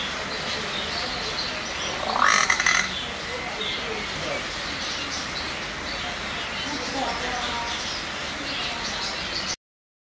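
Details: A tame, talking common hill myna gives one loud, harsh, rising squawk with a talking-like quality, lasting about half a second, over steady background hiss.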